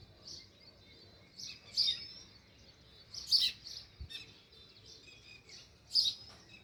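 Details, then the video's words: Sparrow chirping near its nest in a rural village, sharp high chirps spaced one to two seconds apart, softer chirps and a brief low thump in between. "Natural Sparrow View | Chirping Sounds"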